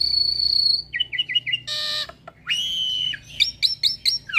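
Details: Song of a captive hybrid, Asian pied starling × Nias hill myna, made for training birds: a long high steady whistle, quick looping notes, a harsh burst, a level buzzy whistle, then rapid repeated chirps.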